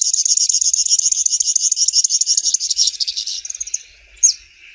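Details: Grassland yellow finch delivering a fast high buzzy trill for about three seconds that fades out, followed by a single sharp downslurred note.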